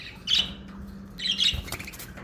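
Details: Fischer's lovebird uttering two harsh, high-pitched squawks about a second apart, followed by clicking rustles over a faint low hum.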